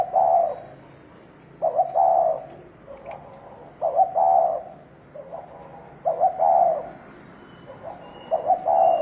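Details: Provoking, fighting call of a spotted dove, 'thổ đồng' type: a steady run of mellow coo phrases, each stuttered opening notes then a longer rolling hoot, with quieter single coos between the loud phrases.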